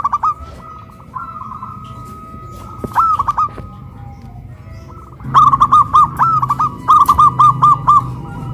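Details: Hoisted caged zebra doves in West Java dueting, big voice against crystal voice; faint scattered coos first, then a loud run of bubbly rolling phrases over background hum.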